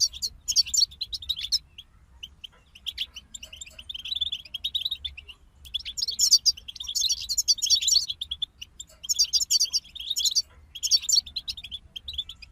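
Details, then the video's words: A group of European goldfinches alternates thick bursts of fast, jingling twitter with quieter spells of sparse chirps, the song returning in full, overlapping phrases. "King of Songbirds Goldfinch Group"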